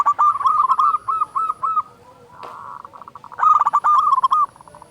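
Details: Actively singing local zebra dove used as a lure to stir other doves into song: a rapid series of husky coos, a brief lull with a soft click, then another fast burst of coos.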